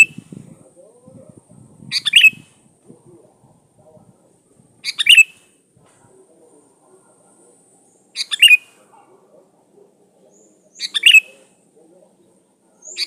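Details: Sooty-headed bulbul singing hard as lure sound for catching birds' attention; brief chattering bursts repeat about every three seconds, with soft low rustling at the start.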